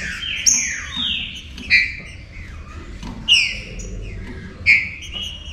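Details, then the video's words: Green-winged saltator song played to fire up other saltators. Whistled phrases fall in pitch and repeat roughly every one and a half seconds, each opening with a bright, sharp note. Steady low background hum. "ESQUENTE SEU TRINCA FERRO"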